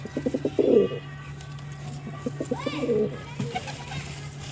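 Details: Pigeon giving quick stuttering low notes that swell into a loud throaty coo, then a softer second coo about two seconds later. Rising chirps from other birds and a steady low hum lie behind.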